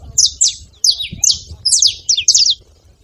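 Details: Brief run of loud, piercing chirps from a saffron finch at a feeder, paired and tripled notes sweeping downward, ending in quiet.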